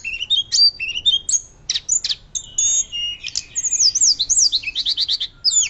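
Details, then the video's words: Energetic, loud fluting song of a Hill blue flycatcher for luring and teaching other birds: quick high chirps, then a long zigzag run of repeated up-and-down whistled notes, closing with a sharp twist. "Tledekan Gunung Gacor Nyuling Keras Cocok Untuk Pancingan Dan Masteran"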